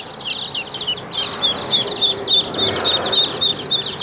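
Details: Group of Buff ducklings peeping constantly, a dense stream of short high cheeps several per second, with a faint low rustle beneath.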